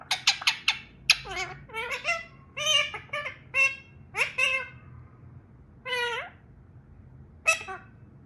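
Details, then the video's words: Talking parrot kept as a pet, imitating a dog barking: a run of quick, sharp, rasping yelps, then spaced single harmonic barks with gaps of about a second; a faint low hum underneath. "My Talking Parrot Barks Like a Dog"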